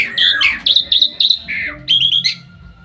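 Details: Bali myna perched on its owner's hand in Bali, 2023, giving a short burst of clear whistled notes: a falling slur, then several even, high whistles and a final bright phrase.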